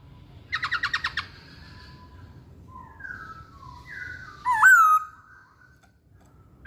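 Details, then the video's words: Masked laughingthrush: a quick rattling burst of short notes, soft sliding whistles, then one loud looping whistled phrase and a late sharp note. "Kicauan Poksay Hongkong"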